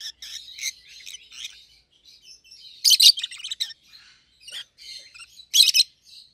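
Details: A pair of rosy-faced lovebirds chatters steadily in shrill, buzzy twitters, broken by loud harsh chirp bursts near the middle and end.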